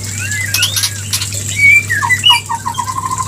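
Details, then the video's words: White-rumped shama mating call used as a lure to bring birds into breeding condition: slurred whistled notes, then a run of short descending whistles repeated quickly at a steady pitch, over a constant low electrical hum. "Pancingan murai Kawin"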